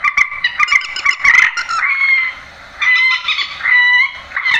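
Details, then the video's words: Grey-headed swamphen, a recording used to lure birds into nets at night: loud, harsh, nasal screeching calls with strong harmonics, some notes drawn out and wavering, in bursts separated by a short quiet gap. "tiếng trích ré"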